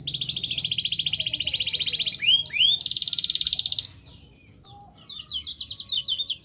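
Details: Domestic canary in full song as a trigger for silent canaries: a long even trill, two rising whistles, a second dense trill, a brief pause, then quick chirping notes.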